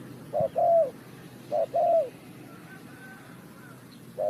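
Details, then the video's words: Spotted dove calling during bird trapping in Ninh Thuận, Vietnam: a short hoot, then a longer falling coo, given twice about a second apart and starting again at the end, with soft distant whistles in between. "The Sound Of the dove,The Sound Of Cuckoo Bird,เสียงนกเขาใหญ่,Bird Trap,Cu gáy Ninh Thuận"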